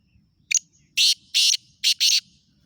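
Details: Black francolin calling near Khushab, Pakistan: harsh, rasping, broadband notes in a five-part phrase, one short clipped note, two long grating notes, then a quick short-long pair, all within about 1.7 seconds against a quiet background.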